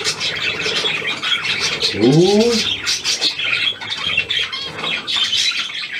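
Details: Hand-tame Australian pied budgerigar, newly acquired, 17 February 2023: steady high scratchy warbling chatter, with a short rising human vocal sound near the middle.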